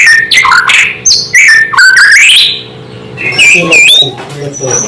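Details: A White-rumped shama sings a song that provokes other shamas, pouring out loud whistles that slide upward, quick chips and warbled notes, trailing into softer mixed phrases with a faint low hum behind.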